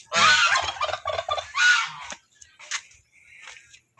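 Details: Newly hatched turkey chicks, eight hatched from a clutch of ten eggs: loud, harmonic-rich calls repeated rapidly for about two seconds, then a few fainter, shorter calls and quiet chirps.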